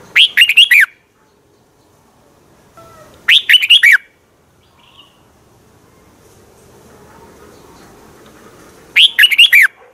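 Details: Red-whiskered bulbul song from Thailand, played to train or stir up other birds: three identical brisk warbled phrases, each under a second, spaced irregularly about three and six seconds apart.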